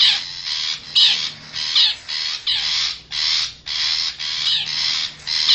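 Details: Wild forest long-tailed shrike, used as a lure call to draw wild birds close: harsh, rasping, broadband bursts repeated about every half second in a steady series, with a faint low hum beneath.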